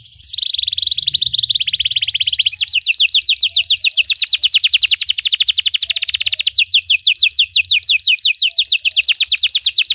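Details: Training song of a Belgian canary: a steady buzzing trill opens, then breaks into a long series of swift descending notes that continue, slightly changing tempo, to the end.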